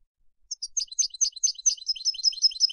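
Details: Goldfinch of Turkish type singing in Istanbul, Turkey: quick, high, chattering notes repeated in a steady run for about two seconds, clean with no background noise.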